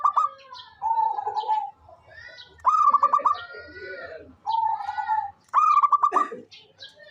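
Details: Local zebra dove, an eager caller used as a lure bird, alternates bursts of quick bubbling coos with smooth sustained cooing notes, among busy overlapping chirps and rustling background sounds.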